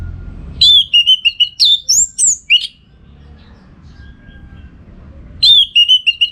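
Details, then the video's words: Orange-headed thrush singing actively, recorded to train birds for song contests: fast sequences of clear whistled notes, high rising and falling sweeps, repeated in two bursts with a pause between, little background noise. "Masteran ANIS MERAH Gacor"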